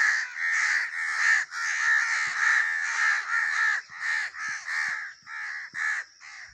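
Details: Harsh crow caws, long and drawn out at first, then breaking into shorter, clipped caws with brief gaps toward the end.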